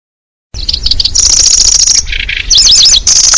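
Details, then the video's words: Lanceolated Warbler lure for attracting birds. Brief chips lead into a long, steady, very high reeling trill, a buzzy mid-pitched burst, then fast zigzag whistles and renewed reeling. "Suara Pikat Burung Kecici Belalang"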